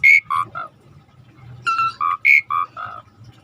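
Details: Asian pied starling singing steadily for training: clear whistled notes at alternating pitches, some high and ringing, others lower and rounder, given in two short bursts.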